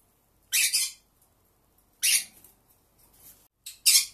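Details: Pearly conure, a single caged pet bird, giving contact calls: three harsh, broadband screeches spaced well apart, each about half a second long, in a quiet indoor room.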